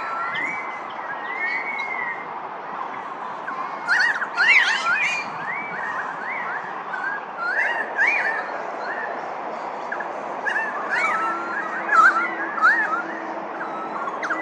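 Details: Chorus of pied currawong calls: many short upslurred and downslurred whistles overlapping one another, mixed with sharp clicking notes, continuing steadily throughout.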